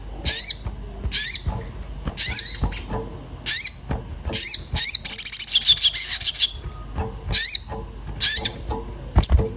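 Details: Orange-bellied flowerpecker, excited and seeking a companion, used to draw birds into song: high chirps in quick succession, a dense rapid twittering run mid-clip, then further sharp single notes.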